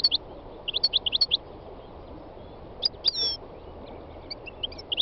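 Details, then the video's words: A three-year-old North African goldfinch sings in spring in Tunisia's north-western mountains, giving a run of quick, high, sharp twittering notes, a pause, then more chirps, while greenfinch, serin and nightingale sing close by. "My wild goldfinch singing تغريد مقنين خلوي"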